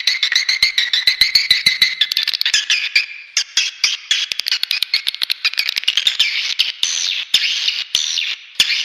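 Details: Swiftlet lure sound with rhythmic, rapidly repeated buzzy chirps that merge into a continuous high chattering stream, with scattered sharp clicks.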